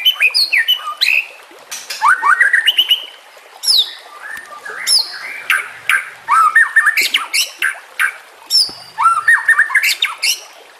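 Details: Varied white-rumped shama song, used to train other shamas for song contests, with nature and water sounds: harsh squawks, sweeping whistles and fast chip runs in bursts with quiet gaps.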